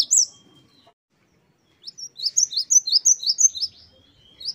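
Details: Great tit in lively wucit-wucit song for training caged birds: a single high note, a quiet pause, then a run of about nine rapid, evenly repeated high notes.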